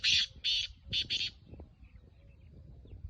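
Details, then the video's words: Black francolin (kala teetar) of a strain called Gangas Nasal, giving four loud, harsh, grating bursts in quick succession over about a second and a half, then quiet with faint low background rumble. "Kala Teetar Gangas Nasal Black Franclion Voice"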